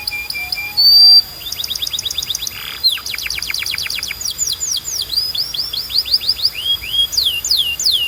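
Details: Canary song for training pet canaries: soft low whistles, a sharp high note, then a long fast trill of sweeping notes, a buzzy swell, and rolling rising-falling phrases.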